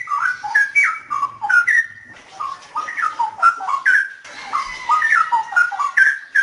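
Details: Straw-headed bulbul pouring out mellow, liquid whistled phrases in a noise-edited recording, notes jumping between pitches in rapid rolling runs separated by short pauses.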